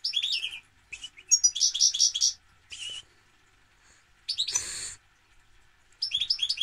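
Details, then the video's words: Goldfinch, European, in full song: rapid tinkling twitter phrases, grating buzzy bursts and clipped chirps, broken by pauses of a second or more, clear against a quiet background. "Goldfinch - Jilguero"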